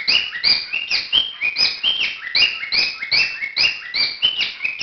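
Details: A courting cockatiel gives rapid rasping chirps mixed with whistly notes that slide downward, repeated roughly twice a second in an unbroken, slightly uneven series.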